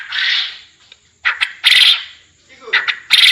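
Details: Quail calling for contest-training master audio to make birds call lively (gacor): harsh broad bursts alternating with short clipped pairs, loud and rasping, repeated about every second.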